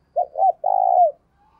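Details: Single phrase from a spotted dove decoy that is cooing vigorously to stimulate another bird: two short rounded coos followed by a long, buzzy, slightly falling note.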